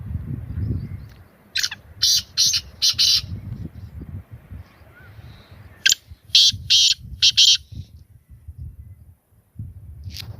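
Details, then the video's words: Two rasping bursts from a black francolin, each of four clipped, buzzy notes in quick succession, separated by a few seconds of low rumble. "Beautiful voice of black francolin Kalay Teetar Ki Awaz Kalay Teetar Ki Boli Sindhi teetar ki awaz"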